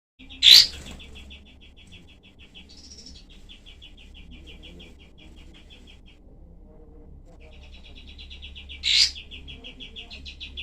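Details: Cream-vented bulbul singing in the rough 'tembak' shooting style, known for tightly packed, sharp bursts and used as tutor song for other songbirds: long runs of quick, evenly repeated high chips, broken by two loud harsh bursts.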